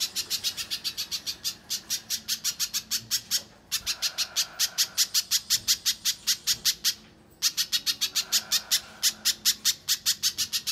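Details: Gacor song of a little spiderhunter, used to lure and tutor contest birds: three long runs of sharp, shrill repeated notes, each separated by a brief silence.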